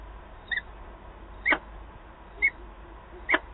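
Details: Peregrine falcon calls at a nest site in Wałbrzych, Poland, 8 August 2022, during a meeting between birds: four brief, clipped, sharp notes spaced about a second apart, softer than before, with low background hum.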